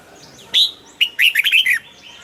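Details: Caged red-whiskered bulbul singing: one sharp note, then after a pause a quick phrase of about six bright whistled notes that rise and fall, lasting under a second. Faint thin chirps sit in the background.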